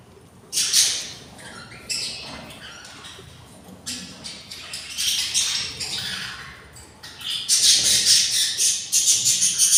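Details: Hungry budgerigar chicks, six hatched from six eggs, beg in the nest of a pair on day 24: harsh, raspy, hissing squawks in irregular rapid bursts, louder and denser toward the end.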